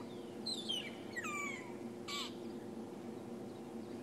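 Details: A family of magpie shrikes, a cooperatively breeding species, whistles in the dawn chorus at sunrise in Sabi Sand, South Africa, on 12 February 2016. Clear, sliding whistles fall and rise in quick bursts over a steady hum and a faint voice.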